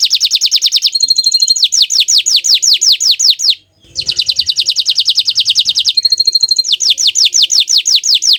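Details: Bottle-green canary alternating runs of descending whistled slurs with dense high rolls; one brief silent gap near the middle, otherwise continuous melodious song.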